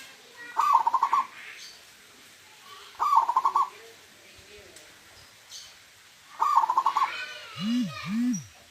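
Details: Local wild zebra dove giving its 'huuurrr' song as three quick, stuttering trilled coo phrases a few seconds apart, then two low, swelling arched tones.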